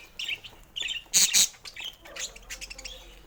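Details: Budgies playing with toys one morning make short buzzy chirps, interrupted by two loud rattling clacks from a toy, then quieter warbled chatter.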